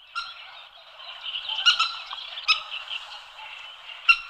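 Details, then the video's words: Common moorhen giving sharp, abrupt clucking alarm calls at irregular intervals, with a continuous busy chorus of higher chirping in the background. "Камышница Gallinula chloropus"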